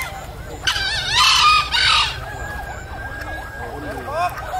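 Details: Green junglefowl at a crowing competition in Tanah Merah, Bangkalan, Madura, on 24 October 2021: one harsh, buzzy crow in two quick bursts lasting about a second, over faint curving calls of other birds in the background.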